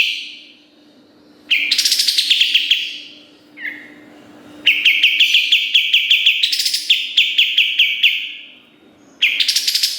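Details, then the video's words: Kapas tembak singing in a busy style for a master recording to train competition birds. Long bursts of rapid, piercing high chirps at about three per second, broken by brief pauses and an occasional short whistle. "Masteran Kapas Tembak Gacor Nembak Isian Tajam Full"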